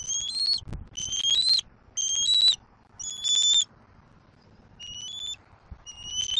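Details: Juvenile bald eagle in Southwest Florida, 7 April 2024, squeeing non stop as it mantles over a delivered fish: a run of six high piercing whistled squeals, each about half a second, spaced about a second apart, with one brief thump.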